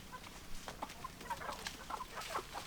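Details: Domestic chickens, hens and roosters, clucking in a busy flock; short overlapping clucks and squawks scattered throughout, several birds calling at once.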